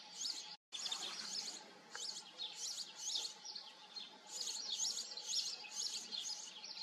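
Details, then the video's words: European goldfinch in song, a long run of liquid twittering and tinkling chirps delivered in quick clustered phrases, briefly interrupted near the start, over a low constant background hum. "European goldfinch. Stieglitz. Carduelis carduelis"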